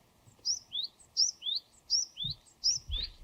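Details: Japanese tit, Parus minor, a wild bird, repeating a ringing two-part whistle, a high short note dropping to a lower upslurred note, four times in quick rhythm, with soft low background noise.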